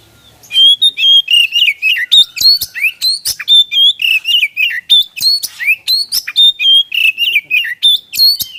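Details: Energetic white-rumped shama (kacer) song used to coax other birds to sing, starting after a brief quiet moment, then a steady rapid stream of whistles, clicks and rising slurs, around three notes per second.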